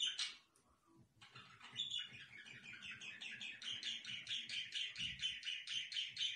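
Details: Pet budgerigars chattering indoors: after a brief opening squawk, a long run of rapid, buzzy chirps repeats about twice a second, steady and unbroken to the end, with a faint low rumble beneath.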